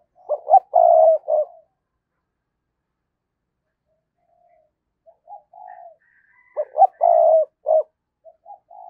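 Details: Lure spotted dove, 'thúc' and 'gáy gọi' calling meant to excite wild doves: a loud four-note cooing phrase, a long silence with faint soft notes, then the same loud phrase repeated about six seconds later.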